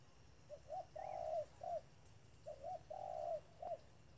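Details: Spotted dove used as a decoy bird at a trap, cooing in two phrases: short hooked notes rising to a long flat coo, repeated about two seconds apart, over a low steady hum.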